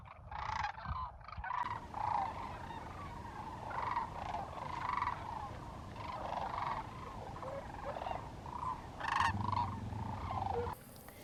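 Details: Thousands of wintering Sandhill Cranes at Willcox, Arizona, where they migrate October to February, bugle together in loud, rolling, trumpeting rattles that overlap continuously over a low rumble; they bugle constantly from afternoon through night.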